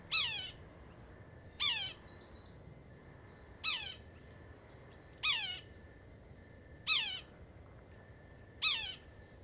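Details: Red-breasted sapsucker giving a repeated nasal, mewing call, a harsh downslurred squeal about every one and a half to two seconds, six in all, over quiet background hiss.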